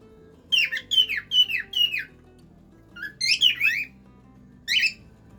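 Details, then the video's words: Cockatiel singing a run of four evenly spaced, downward-sliding whistled notes, then a tighter cluster of rising and falling whistles and a final single note. Quiet music plays underneath. "canto de cacatúa ninfa"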